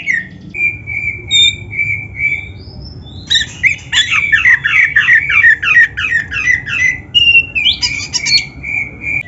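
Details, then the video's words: Oriental magpie-robin training song: a series of steady, level whistled notes repeated evenly, then a dense run of rapid, buzzy and warbled notes, ending again in repeated clear whistles, with faint background hum. "Suara Burung Kacer yang Cocok Buat LATIHAN"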